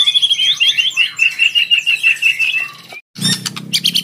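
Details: White-rumped shama, fighter type, luring a rival to answer; a long wavering whistled trill held steady for nearly three seconds, a brief silence, then sharp clipped chips.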